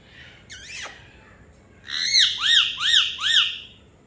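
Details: A pet Indian ringneck parakeet, talking and enjoying a rainy day, gives one falling screech, then four loud arched squawks in quick succession, over a faint steady hiss.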